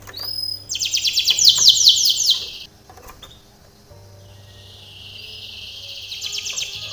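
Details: Canary training song: a short rising whistle, then a dense, rapid high trill lasting about two seconds, a quiet stretch, and another trill starting at the end.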